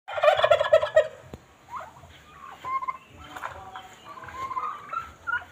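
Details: Domestic turkey (Meleagris gallopavo), a pet, gives a loud, rapid, rattling gobble followed by softer, wavering calls.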